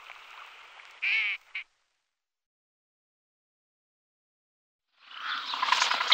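Northern shoveler giving one nasal, buzzy quack and a clipped second note, then silence and a burst of rushing wind-like noise.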